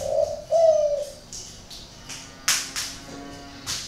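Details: Captive spotted dove with an unusual voice, from a bird farm in Ba Vì, Hanoi, northern Vietnam: a low mellow coo followed by a longer wavering note, then sharp clicks and knocks.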